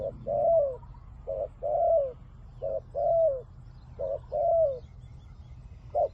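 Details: Spotted dove used as a decoy to lure wild doves, cooing in repeated phrases: a short note followed by a longer, slightly falling coo, about every 1.3 seconds, over low background hum.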